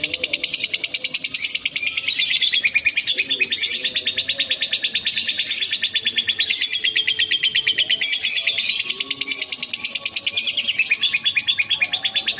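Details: Rival-provoking ngekek from a lovebird: sustained, very fast rattling chatter in a high register, swelling and easing in loudness but never stopping, over a faint low hum.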